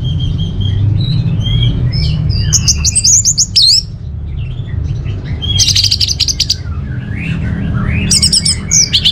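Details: Orange-headed thrush pouring out varied phrases of whistled slurs mixed with dense, rapid buzzy rattles, repeated in three loud bouts, with a constant low hum behind.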